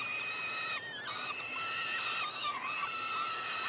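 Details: Nestling peregrine falcons, three chicks fed at their nestbox in Montreal, Canada, 21 June 2022: continuous thin whining screams, slightly wavering in pitch, with several chicks calling over one another.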